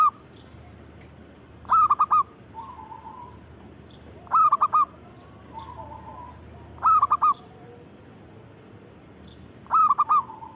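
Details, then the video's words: Zebra dove singing steadily, giving four short phrases of three or four bright hooked coos roughly every two to three seconds, with soft, lower drawn-out cooing between phrases. "Suara Burung Perkutut Gacor"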